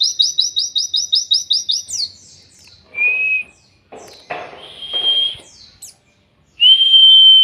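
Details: Oriental white-eye song, a legendary 'killer endok tato' style used as training material for songbirds: a fast run of about ten identical high chipping notes, then sliding trills, a steady whistle, buzzy phrases, and a final long clear whistle.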